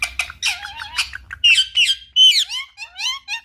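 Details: Pet Indian ringneck parakeet indoors, being asked what it is doing: fast harsh squawks and rasping chatter, then loud piercing squawks and falling whistled notes in quick, uneven succession.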